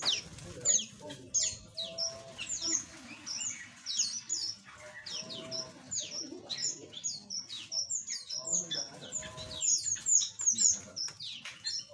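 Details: A chorus of small aviary birds keeps up an unbroken stream of thin, high, rapidly repeated chirps from many callers, with faint lower notes underneath.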